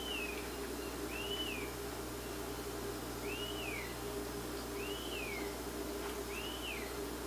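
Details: Young Rose-breasted Grosbeak in Quebec calling as its mother brings food. It gives a series of slurred whistles, each bowing up then down, spaced about a second apart. Constant low electrical-like hum in the background.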